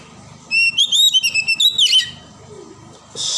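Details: Oriental magpie-robin from the forest in full song: a quick string of bright whistles and warbled notes lasting about one and a half seconds, then quiet, ending with a brief hiss.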